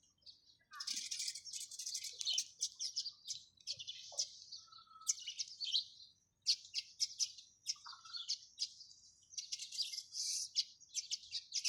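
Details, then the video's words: Sparrows chirping: a dense, continuous jumble of high, sharp chirps from several birds, with brief pauses and a few lower whistled notes mixed in. "চড়ুই পাখির কিচিরমিচির শব্দ Chirping sound of sparrows"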